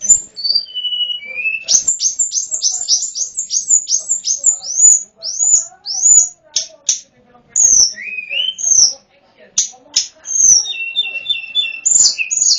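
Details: Sunda Robin, known locally as tledekan gunung, in a lure recording for wild birds; a rapid series of high chirping notes follows falling whistles, with buzzy bursts and a short trill near the end.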